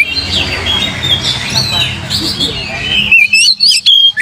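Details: Oriental magpie-robin song used as a lure to provoke singing; three seconds of dense, harsh, overlapping chatter, then loud, clear whistled notes with sliding pitch, separated by short gaps.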